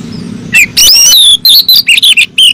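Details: Female oriental magpie-robin calling the male: loud, sharp whistled and chattering notes, rising and falling, in quick bursts after a short pause, over a faint low hum.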